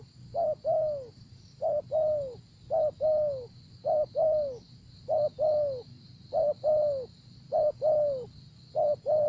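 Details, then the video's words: ['Spotted dove heard during trapping with a decoy in Vietnam, repeating neat pairs of soft coos, short then longer and dropping, at an even pace of about one pair per second, high hum in the background.'] "Gác Cu Gáy"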